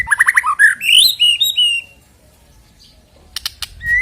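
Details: White-rumped shama, kept to prompt other birds to sing ahead of a contest; quick run of rising whistled notes, then long sliding whistles, a pause, and sharp clicks before a final rising note.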